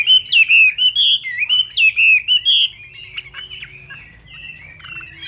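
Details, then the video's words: Vietnamese caged Chinese hwamei, plumage still not dry, delivering a rapid song of loud wavering whistles strung closely together, then trailing off into quieter thin notes and short slurs. "Họa Mi tuyệt vời với tốc độ mỏ khi lông lá còn chưa khô"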